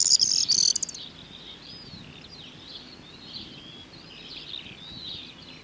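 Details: A corn bunting near wheat and barley fields in the West Sussex countryside sings its jangling song, a loud, high rattle lasting about a second, followed by fainter, continuous high twittering from other birds.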